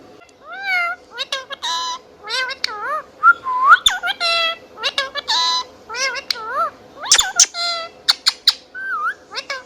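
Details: Pet Indian ringneck parrot indoors chirping and whistling almost nonstop: wavering, bending whistled notes, quick clicks and rapid chirp bursts over a faint steady hum.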